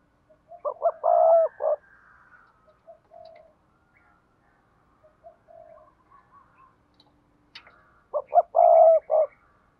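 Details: Spotted dove coo for bird keepers, styles 'gáy thúc gù' and 'gáy gọi': a stuttering burst of low hoots opens and closes the recording, with faint scattered notes and quiet gaps between.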